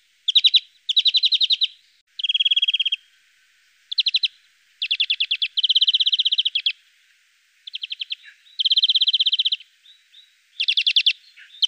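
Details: At a Russian forest edge, a European greenfinch (Chloris chloris) sings bursts of fast, rolling metallic trills and twitters, each under a second long, with short pauses between them.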